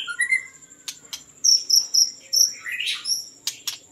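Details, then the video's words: White-rumped shama song: rich, varied phrases of clear high whistles and slurred notes, quick and irregular, over a steady high insect drone and a few sharp clicks. "White-rumped Shama Hunter"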